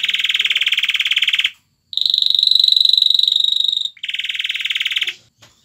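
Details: Male canary courting a female and urging her to mate, singing fast buzzy trills of rapidly repeated notes; a broad rolling trill, a brief pause, a purer steady whistled roll, then another broad buzzy trill.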